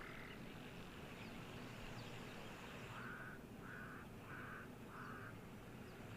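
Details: Cape crows calling in the wild during a live nature broadcast with wildebeest nearby on a windy day: four short, harsh caws about half a second apart, distant beneath strong wind noise.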